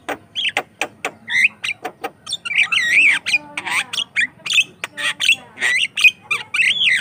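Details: Javan myna in vigorous song, recorded as a lure for training mynas; rapid clicks leading into wavering whistles, buzzy rattles and chattering notes, loud and continuous throughout.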